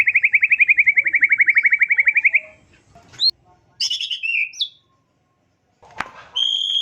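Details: White-rumped shama singing: a long fast trill of rapid repeated notes for over two seconds, then sweeping whistled phrases, a sharp click, and clear sustained whistles at the end.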